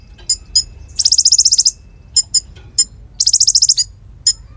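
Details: Konin (Bar-winged Prinia), used as tutor song for magpie-robins and fighter birds: scattered sharp high chips and two fast, even rattling trills.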